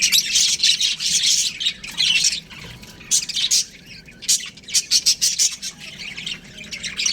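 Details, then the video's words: Young budgerigars chattering in an aviary, loud raspy chirps in rapid clusters, a brief quieter lull midway, then sharp separate squawks returning in quick succession. "Baby Budgies Chirping Sounds | Amazing budgies aviary"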